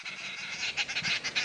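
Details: Arrow-marked babblers, a gregarious group, heard in the distance on a sunset safari drive at 3:30 PM on 29 April 2017 in a South African game reserve. They give loud, harsh, raspy chattering in quick uneven bursts as several birds shout together.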